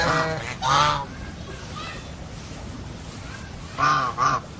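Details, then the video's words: Two loud nasal goose honks open the recording, then a quiet gap with faint calls, then two more strong harmonic honks near four seconds, low rumble running underneath. "Funny GEESE SOUND / Suara Binatang Lucu ANGSA Soang"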